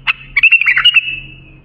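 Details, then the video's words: Bulbul song for training young bulbuls: one loud, quick, bubbling phrase of jumbled whistled notes that ends in a thin drawn-out whistle, heard over faint low hum. "بلبل للساناته إبداع يفيد للتخريج صغار بلابل"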